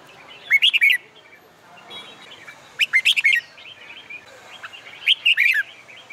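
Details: Contest-trained red-whiskered bulbul singing in summer sunshine: three rich, rolling whistled phrases, each under a second, roughly every two seconds, over quiet chirps from other birds.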